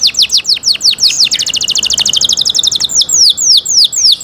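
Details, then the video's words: Canary song: rapid descending sweeps running into a fast, even trill of tight repeated notes, then slower, drawn-out downward whistles. "canary Nice sound"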